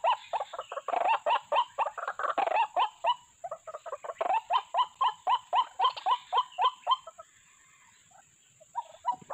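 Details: Lure sound for trapping white-breasted waterhens: harsh, throaty notes pulsing in a fast regular rhythm for about seven seconds, then a pause and a few final notes.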